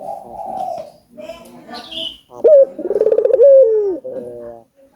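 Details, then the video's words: Albino collared dove in full voice, a recording used to stimulate other doves to call: after scattered softer sounds, a loud rising note leads into a rapid throbbing roll and a long falling coo. "Suara Burung Puter Gacor ,merangsang burung puter agar bunyi"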